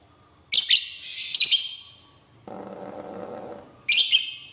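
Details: Lovebird kept as a fighter bird, giving harsh buzzy squawks in short bursts with pauses between them, over a low background hum in the middle.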